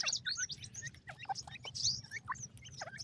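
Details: Captive grey francolin chicks at feeding time give thin, high, squeaky chirps and short down-slurred peeps in quick, irregular succession, several birds overlapping, with a faint low rumble beneath.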